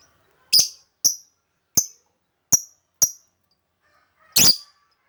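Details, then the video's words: Melodious lovebird calls used to lure lovebirds: five crisp, shrill chips at uneven intervals, then a longer, harsher shriek near the end, with silence between. "Mancing suara burung lovebird yang merdu"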